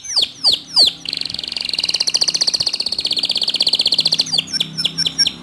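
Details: Canary song used to stimulate other canaries to sing: three loud swooping notes falling steeply in pitch, then a long, fast, buzzy rolling trill of about three notes per second-fraction, closing with more quick descending sweeps.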